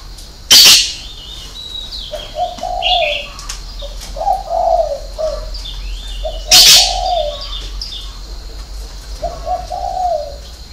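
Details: Spotted dove giving its six-note 'hậu 3' style coo. Low, mellow hooting phrases come in several bursts. Loud sharp clicks and high chirping from other birds are heard throughout.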